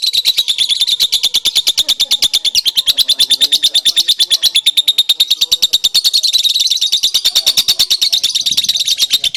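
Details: Lovebird song recorded as a masteran, a tutor recording meant to make lovebirds that have stopped singing answer at once. The singer occasionally nods its head. A fast, unbroken train of high, sharp chirps, roughly eight per second, continues steadily throughout.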